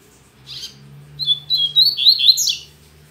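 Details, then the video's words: Double-collared seedeater singing on a Saturday morning, its song still weak: a soft chip, then a fast series of high, sliding whistles mixed with buzzy notes, over a constant low electrical hum. "Coleiro Mack Cantando Muito Pela Manhã"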